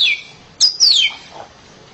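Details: Kept oriental magpie-robin giving a loud burst of song: a short warble, a sharp high note and a long clear descending whistle, followed by quiet.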